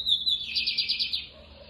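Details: A lined seedeater gives one loud, high-pitched song phrase. It opens with a sharp note, then runs into a buzzy trill of about ten rapid pulses that fades after a second.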